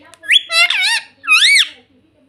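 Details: A pet ringneck parrot gives two loud, squeaky calls, each a harsh, rising-then-falling screech rich in overtones, about half a second apart, in a quiet room.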